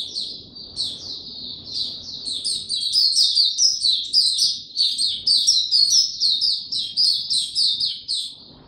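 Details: On 29 April 2022, a white-eye with no health supplements given opens into song: quick high chirps about four per second, building into dense twittering over soft low background noise.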